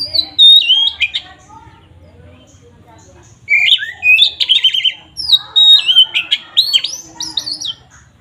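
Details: Oriental magpie-robin in full 'ngeplong' song, used to provoke other magpie-robins: a short whistled burst, a quiet gap, then a long fast run of varied slurred whistles, trills and harsh chips.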